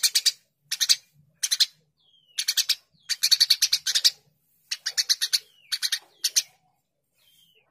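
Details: Eurasian tree sparrow in energetic chirping, rasping notes delivered in quick clusters of three to eight with brief gaps, plus a few thin, faint descending whistles between bursts.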